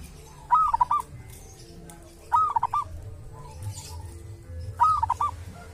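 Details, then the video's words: Local wild zebra dove from a sacred tomb, said to have its own distinctive voice: three cooing phrases about two seconds apart, each a high opening note then quick short coos, over low background hum. "perkutut lokal dari MAKAM KERAMAT ‼️punya suara cirihas tersendiri"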